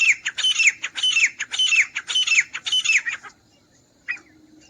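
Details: Grey francolin, recorded for use as a hunting call, giving a rapid run of harsh, squawky repeated phrases, each with a high slurred whistle, for about three seconds, then a pause and one short final note.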